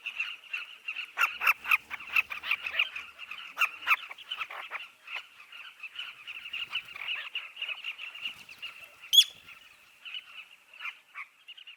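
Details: At a southern carmine bee-eater nesting colony in a dry riverbank, rapid clusters of close chirps fade into a steady overlapping chatter, with one sharp, high call standing out near nine seconds.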